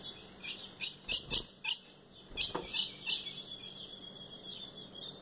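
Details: A captive female ultramarine grosbeak, a proven breeder used to stir up males, gives short, sharp high chips in irregular bursts, about three a second, over a faint steady hiss.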